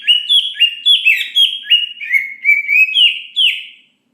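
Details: Greater green leafbird, a fine singer kept to provoke other leafbirds into singing, delivering a rapid run of loud whistled notes with upward and downward inflections, about three per second, clean and without background sound.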